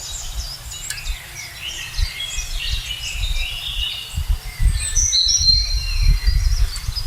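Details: Several parakeets in a forest in West Bengal, India, call loudly from a tree with nest holes, possibly with young: harsh, high, scratchy calls, quick and overlapping, loudest near the end over low rumbling wind and handling noise.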